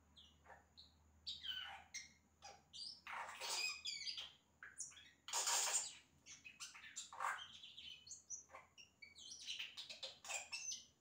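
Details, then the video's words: Mimicking song from a yellow-rumped cacique: a long, continuous medley of squawks, crackling rasps, clicks and high whistled slurs, with loud noisy bursts near the middle and a busy tangle of notes at the end. "Xexéu Cantando imitações"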